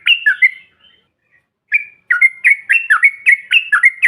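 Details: Yellow-vented bulbul call of the ombyokan or bahan style, used to provoke other birds: a short bubbly phrase, a pause, a single note, then a continuous run of lively dipping chirps.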